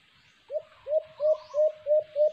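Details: A white-eared brown dove, recorded during a cage-trapping attempt, gives six low, upswept hooting notes about a third of a second apart, each rising slightly, over faint background hiss.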